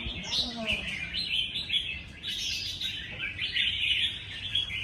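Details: Red-whiskered bulbuls singing in a singing contest: dense, overlapping bright warbled phrases and chirps, several birds calling at once with barely a pause, faint voices beneath.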